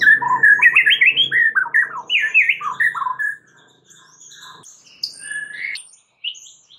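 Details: White-rumped shama lure song to trigger a reply from other shamas: rapid loud chattering, warbled phrases for three seconds, then quieter scattered high whistles with faint low background noise.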